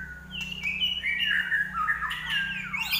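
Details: Common iora singing 'gacor': a harsher, somewhat squawky run of whistled notes that rises and falls, ending in a steep downward slide.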